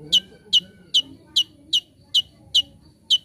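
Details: Olive-backed sunbird (konin) singing energetically on a master recording for training birds: sharp, high, downward-flicking chips repeated evenly about every 0.4 seconds, eight in a row, with faint low background murmur.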